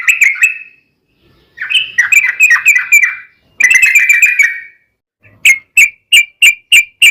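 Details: Sooty-headed bulbul song used as a lure to make other bulbuls sing: bubbly chattering phrases around two seconds long, then a run of short sharp repeated notes, each separated by brief pauses.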